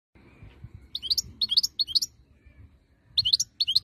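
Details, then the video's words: European goldfinch singing in Algeria, 2022: bursts of bright, jangling, high twittering phrases in short clusters separated by pauses, with faint low background rumble. "chant chardonneret 2022"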